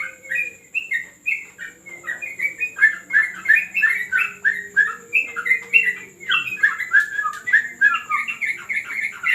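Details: Yellow-vented bulbul in a terrace training session: a long sequence of rapid, rolling whistled notes, about three a second, rising in intensity toward the end.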